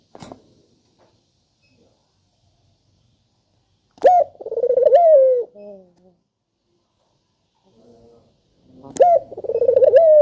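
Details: Spotted dove calling as a lure to get reluctant doves to sing: two loud mellow coos about five seconds apart, each opening with a sharp note, rolling through a quavering trill, then sliding down in a long drawn tone, with faint clicks between.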